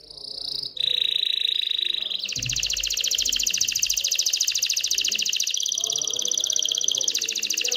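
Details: Canary song meant to stimulate hens to mate and build a nest. A short steady whistle leads into a long, loud, even buzzy trill that rolls on for several seconds.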